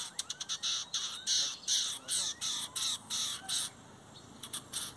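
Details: Lined seedeater in a 2023-season song contest pitting metálico against torneiro song: harsh, buzzy high notes come in rapid bursts, several per second, broken by short pauses before a final few notes.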